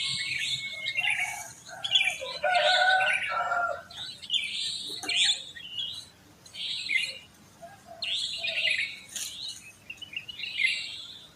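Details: Early-morning sooty-headed bulbuls in a residential neighbourhood full of them: a fluty, warbling phrase near two to four seconds, then scattered bright chirps from the wider chorus.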